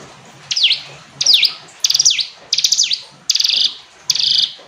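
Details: Six evenly spaced hill prinia phrases, high and crisp, each a buzzy run of rapid notes with a falling sweep, the final ones flatter and more rattling.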